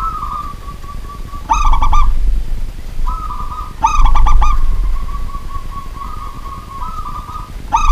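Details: Local zebra dove, a pet bird, singing at night; three bursts of rapid stuttering coos a couple of seconds apart, linked by a steady droning tone, with low rumbling noise underneath.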